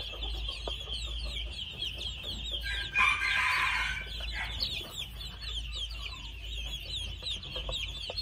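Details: Two-month-old red junglefowl chicks giving dense, rapid high chirps and peeps that overlap constantly, with a louder, harsher burst of calling near the middle over a steady low hum.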